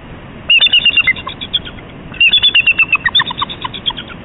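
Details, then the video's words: Whooping crane pair, alerted to something nearby, trumpet and chortle warning calls, recorded up close on 28 December 2015: two loud bursts of harsh, bugling notes, each a rapid run of about a dozen calls that fades off, separated by a short pause. "Warning Calls Up Close"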